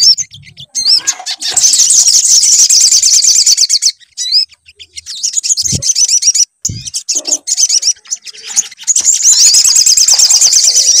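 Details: Lure recording of sunbird song meant to prompt singing, long stretches of rapid, buzzy, high twittering broken by brief pauses, with faint low thuds in the middle.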